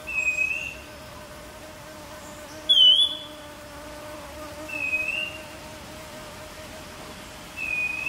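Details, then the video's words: Streaked wren-babbler singing at Fraser's Hill, Pahang, Malaysia, in June 2023: short clear whistled notes, each with a slight rising inflection, given about every two and a half seconds, one louder and higher, over a steady low background hum. "Streaked Wren Babbler call song sound"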